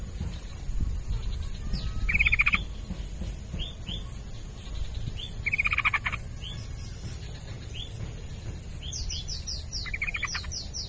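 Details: Yellow-vented bulbul used to coax a reluctant bird into singing: three bursts of fast, rattling notes, mixed with many thin, high, downslurred whistles, over a constant high-pitched hum and low noise.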